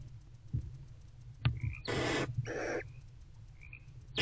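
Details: Nest box scene at about 4:40 am, February 2024, with a barn owl mother and older owlet bonding; a sharp click, then two harsh hisses run almost together, faint chirps and a low background drone.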